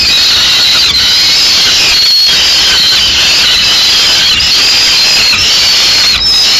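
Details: Peregrine falcon chicks in Madrid on 14 May 2016 keep up harsh, high, rasping screams with thin whistled notes as two of them fight to take prey the female has just brought to the nest.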